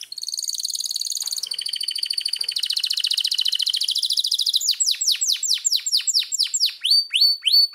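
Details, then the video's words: A trained, hand-tame pet canary singing while held in the hand: a fast, continuous song of high buzzy trills, then a run of sharp, repeated downslurred whistles, about three notes a second. "Best Singing Canary | Canary Bird Singing"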